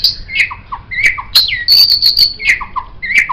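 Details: White-rumped shama, offered as master song for tutoring songbirds: rapid alternation of high downslurred whistles, low mellow fluty notes and sharp clicks, with a brief high sustained trill in the middle.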